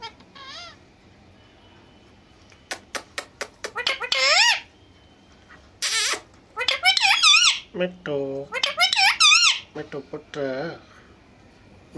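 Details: Indian green ringneck parrots talking face to face in Urdu or Hindi: sharp clicks, then a run of high, wavering speech-like phrases and squeaks in quick succession, with a low voice briefly underneath.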